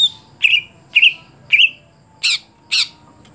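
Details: Greater green leafbird singing: three clear, slightly warbled whistled notes about half a second apart, then two louder, harsher broadband notes. A faint steady hum sits underneath.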